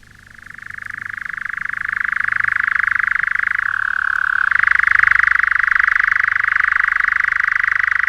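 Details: A European Nightjar, a scarce summer visitor, churrs at dusk in June in an English broad-leaved woodland: one long, dry, rapid trill holding a steady pitch, briefly dropping lower midway, then returning to its first level.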